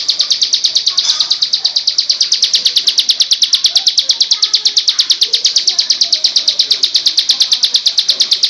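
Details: Bar-winged prinia song recorded as training material: steady, rapid repetition of sharp high-pitched notes, rhythmic and unvarying across the whole stretch, with faint lower chatter beneath.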